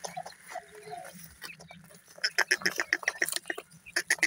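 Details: Francolin, locally called teetar, shown as a male with chicks: after a quiet, muffled start, a rapid series of short, sharp, high peeping notes comes about every quarter second, with faint background rustling.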